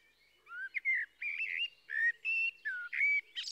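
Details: Blackbird pouring out a continuous string of rich whistled phrases, some rising, some dropping, finishing with a brief high squeaky twitter.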